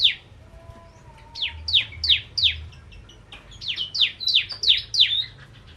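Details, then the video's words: Energetic bar-winged prinia song of rapid, high downward-slurred chips, some doubled, building into a fast run, with a soft lower whistle near the start and quiet background hum. "Burung Prenjak Jawa Gacor Pancingan Ciblek Kristal"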